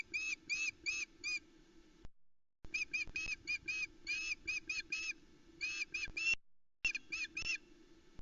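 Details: On the Loch Arkaig osprey nest, 17 July 2020, the female calls insistently while the male brings a large trout to the chicks at dawn; clipped, high whistled notes in quick uneven runs with brief breaks.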